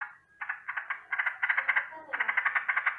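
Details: Sooty-headed bulbul (trucukan) in the morning, giving a rolling alarm call: bursts of rapid, buzzy chattering notes repeated in quick series, with short gaps between runs, indoors-sounding with little background.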